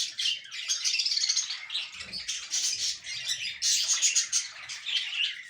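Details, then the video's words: Budgerigars kept for breeding, calling indoors with high squawky chirps and warbled phrases in irregular bursts. "Budgies Breeding Progress"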